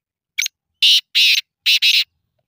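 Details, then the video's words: Black francolin calling: a short rasping note followed by four harsh, grating bursts in quick pairs, loud against a silent background. "kale teetar ki awaaz"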